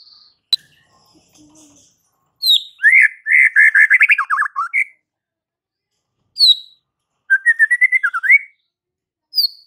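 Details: White-rumped shama singing to provoke fighter males, with varied warbled phrases, descending buzzy notes and a rapid chattering run, split by pauses and high thin whistles.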